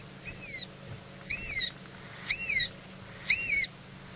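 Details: A shikra call played back during a morning safari drive at Djuma Game Reserve, Sabi Sand, South Africa, on 27 August 2017: four high, thin, squealing whistles, each rising then falling, about one second apart over a faint hum.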